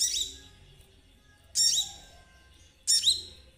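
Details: Spotted 'trotol' Konin played to set other birds singing: three thin, high, down-slurred chirps, the second and third each after roughly a second and a half of near silence.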